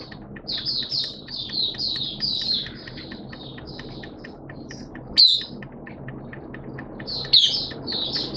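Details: Caged Oriental white-eye (Mata Puteh) giving its 'buka sing' opening song on 11 September 2022 in wet, erratic weather: a steady run of short high chirpy notes over a low background hum, with two louder sharp notes near the end.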